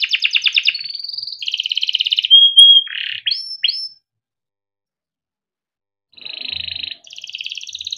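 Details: Yellow canary, a kept bird whose song serves as a tutor for young canaries, gives rapid rolling trills and a whistled note with sweeps, pauses for about two seconds, then resumes trilling.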